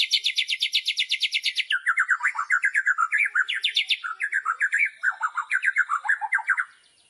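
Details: White-rumped shama in kretekan style: a fast, high rattling trill breaks into a tumbling series of lower, varied warbled and slurred notes, all loud and continuous.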